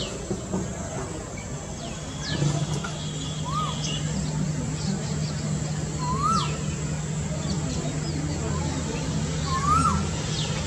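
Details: Asian koel giving a brief rising-then-falling note three times, roughly every three seconds, over a steady low engine-like hum and faint chirps.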